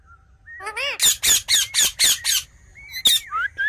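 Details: Ringneck parrot giving a rising whistled note, then a run of six harsh, raspy screeches about four per second, followed by a single sharp squawk and thin upslurred whistles over faint low rumble.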